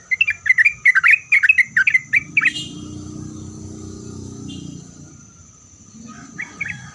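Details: Sooty-headed bulbul in full song, used to provoke other bulbuls into answering: a quick run of bubbly, warbled notes for about two and a half seconds, then a low rumble like a passing vehicle and a few more notes at the end.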